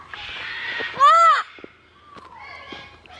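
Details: Parrot at a rescue sanctuary by a wooden parrot mailbox lets out a short harsh arched yell, followed by quieter whistly notes and clicks.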